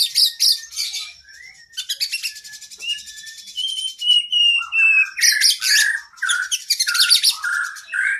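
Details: Kacer, the oriental magpie-robin, in a masteran training song for cage birds with long isian: scratchy bursts, a long rattling trill with faint whistles, then loud varied phrases of falling slurred notes repeated about twice a second.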